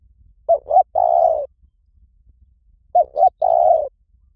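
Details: Spotted dove cooing, played as a lure for trapping in any forest: two short wavering notes then a longer level coo, a phrase repeated twice about 2.5 seconds apart, clean with no other sounds.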